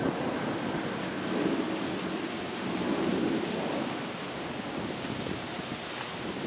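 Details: Steady roaring wind or surf noise with low rumbling swells and no animal calls.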